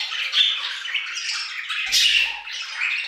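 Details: Budgerigars singing together in an aviary: overlapping warbles and scratchy chirps, with one louder sharp squawk in the middle and a faint low thump.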